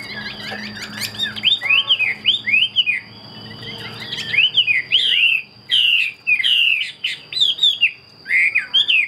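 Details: A captive Chinese hwamei sings strong, repeated arched whistles, each rising then falling, in lively bursts broken by a brief quieter gap, while a thin constant tone and low hum persist.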